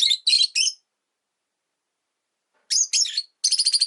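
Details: Pet rosy-faced lovebirds in a cage by a window, part of a group of five, produce harsh high chirp triplets, then after a pause a rapid stuttering run of clipped notes.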